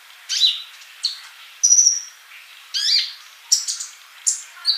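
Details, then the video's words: Sunbird (kolibri) in a training recording for keepers, singing actively: thin, high chirps and short sliding whistles, some bright downward-sweeping notes, spaced roughly every half second with quiet gaps between. "MASTERAN UNTUK BURUNG COLIBRI GACOR"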